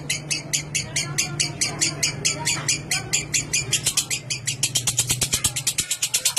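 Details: Lovebird in ngekek, long chattering song used to prompt other lovebirds: quick shrill notes repeated steadily, speeding into a tighter, denser trill in the last seconds, with a steady low electrical-sounding hum underneath.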